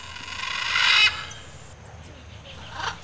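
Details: A pair of blue-and-yellow macaws sits hidden among vegetation in riverside forest. One loud, harsh, rasping squawk lasts about half a second, followed by quieter background sound and a faint later call.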